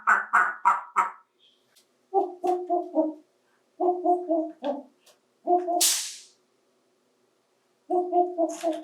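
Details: A 28-year-old male African Grey parrot, a pet adopted as an adult, talks while playing with toys in a bathtub. It gives bursts of throaty, speech-like syllables in quick runs of three to five, with short pauses and a brief hiss near the end.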